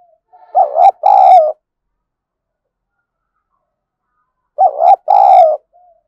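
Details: Spotted dove kept as a decoy for luring wild doves, giving a loud two-part coo, a short note then a longer rolling one, repeated after about four seconds of silence.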